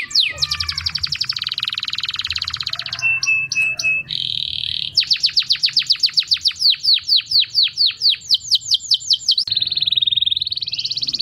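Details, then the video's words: Hippie canary song for stimulating mating birds: a fast buzzing trill, clipped double notes, a steady buzz, then a run of descending whistled sweeps and a final rising buzzy trill. "تغريد كناري هبي ممتاز"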